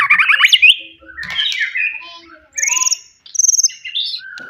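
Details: Wild forest white-rumped shama singing to provoke rivals: a loud rising trill, then softer mixed warbles, high buzzy notes and short whistles, quieter overall.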